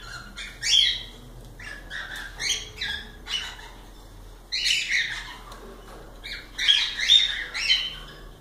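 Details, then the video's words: Cockatiels giving scratchy squawks and chirps in irregular bursts, with a louder cluster of overlapping harsh calls near the end. "Calopsitas Live de Agradecimento aos 500 Novos Inscritos Canto dos pássaros ASMR"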